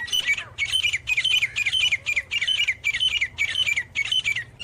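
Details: Loud, close calls of a grey francolin, known locally as gora teetar, heard as a string of harsh, squawky notes with falling tails, each repeated roughly every half second, over a faint low hum.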